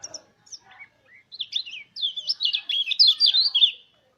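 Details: Mountain white-eye song used as a lure to prompt other white-eyes to sing; a few soft scattered notes, then a fast, high, twittering run of rising and falling chirps that grows louder over two seconds.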